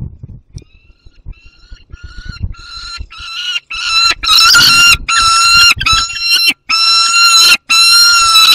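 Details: Young peregrine falcon with prey, alongside another falcon, Barycz Valley, 30 August 2022: after scattered clicks and rustling, loud harsh drawn-out wails with a nasal, ringing quality, repeated in quick succession with short breaks.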